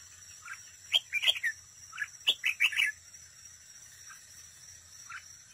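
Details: Red-whiskered bulbul used as a decoy for trapping, singing competitively at close range: rapid run of bubbling whistled notes, a pause, then another lively phrase, with softer single notes and a high steady whine.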